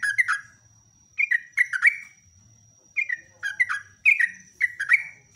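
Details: Yellow-vented bulbul's morning song, lively and rapid: clusters of two or three sharp, gurgling notes falling in pitch, separated by short silences, with a thin steady high tone running underneath.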